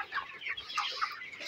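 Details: On a farm, broiler chickens at 29 days old call over one another, a few clear clucks and chirps emerging from the steady background chatter of the flock.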